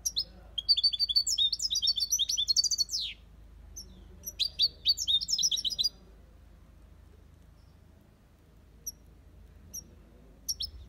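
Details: Caged aviary European goldfinch delivering copia Malaga song, a fast jumble of bright twittering and trilled notes for about three seconds, a second burst after a pause, then long quiet gaps broken by a few thin chips.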